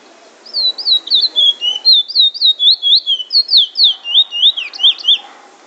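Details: Bullfinch in Trinidad performing a longer drawl and wheet drawl song: over five seconds of quick, evenly paced slurred whistles, the later notes turning more clipped and varied.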